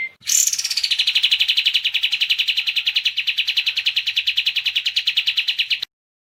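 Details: Kapas tembak giving a sustained, rapidly pulsed rattling trill lasting over five seconds, opening with a high downward-sliding note, then stopping abruptly.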